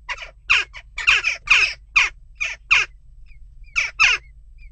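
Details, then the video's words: Western jackdaws unsettled at a nest box keep up a dense series of loud harsh chak calls, about two per second, pausing briefly before a final pair; low hum beneath. "Onrust blijft door--kauwen"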